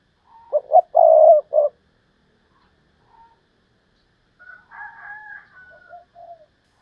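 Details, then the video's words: Spotted dove decoy bird giving a Thúc Lợi Cốt call: two short hoarse notes, then one long rolling coo. Later come softer, higher, drawn-out whistled sounds. "Chim Cu Mồi/ Thúc Lợi Cốt"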